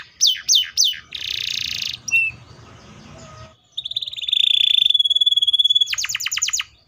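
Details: Canary singing loudly: a few swooping whistled notes, a dense buzzy roll, a sharp upslurred note, then a long fast even trill and a quick run of bright descending slurs.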